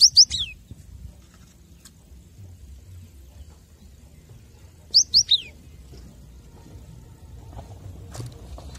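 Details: Captive cinereous tit song used as a master recording for training caged birds: two short phrases of high, sharp descending whistled notes, about five seconds apart, over a quiet background.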